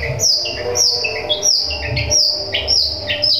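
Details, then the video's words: Long-tailed shrike singing sparrow-style song with nature material, used as tutoring to provoke other shrikes: rapid high chirps and slurred whistles, many sharply falling, repeated almost twice a second, over a low steady hum. "Cendet suara gereja sambung materi alam bisa untuk masteran bikin cendet lain emosi"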